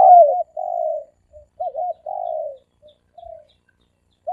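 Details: Soft, low dove coos run in a loose series, with short wavering notes between drawn-out falling coos. The dove is calling in the three-coo style, used as a lure.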